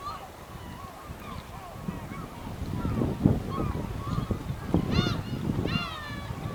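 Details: Over 100 black-tailed gulls at a port in Hokkaido, Japan, in August 2010 give overlapping mewing, cat-like cries and sharp rising calls, several each second, over a low rumble of wind and harbour noise.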